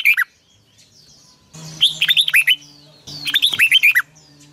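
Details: Red-whiskered bulbul, long twisted double-voice morning song serving as a training lure: a short whistled note, then two lively phrases of looping whistles over a faint low hum.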